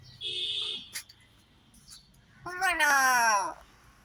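A common myna gives a brief, clear whistle, then a drawn-out, speech-like phrase that falls in pitch, mimicking a human voice.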